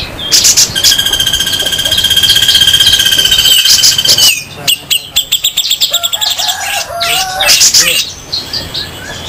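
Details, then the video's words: Grey-cheeked bulbul, local against Sumatran birds, singing very rough 'besetan': sustained buzzy tones for several seconds, then an abrupt fast rattle of scratchy repeated notes and a final harsh burst. "Masteran super kasar raja besetan jenggot lokal vs sumatera"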